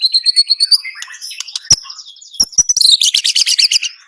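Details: White-rumped shama (murai batu) singing: a run of clear high whistled notes, then a rapid burst of varied chattering phrases, with a few sharp clicks in between.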